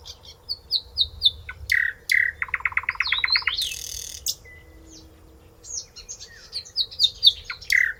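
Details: A nightingale sings close up: varied phrases of high sweet notes, a fast run of about ten throbbing chooks, a harsh buzzy burst, then rising whistles, over a faint low hum.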